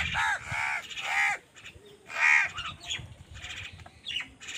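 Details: Overlapping hoarse caws from several birds in a noisy squabble over food, with crows and other wild birds fighting, and steady background noise throughout.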